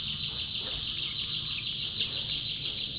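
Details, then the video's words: Champion white-eye (pleci) singing nonstop: a dense, high, thin twittering of quick chirps and short whistled notes over a steady high hiss, with no pause. "Burung Pleci Juara Gacor"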